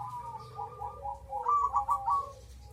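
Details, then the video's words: A singing crossbred perkutut (zebra dove) gives soft rolling coos, then a rapid run of bubbling, stuttered notes ending in a lower drawn coo, over a faint low background hum. "BURUNG PERKUTUT CROSING/SILANGAN GACOR RAJA"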